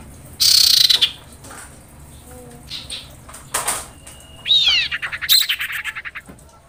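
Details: Common iora, a female calling the male: an opening harsh rasp, scattered faint notes, then a rising whistle leading into a rapid decelerating series of sharp chattering notes.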